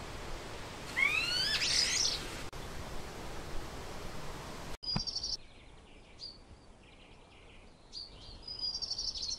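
A chaffinch gives a quick descending run of bright notes ending in a short flourish, followed by scattered high, thin chips over soft background hiss.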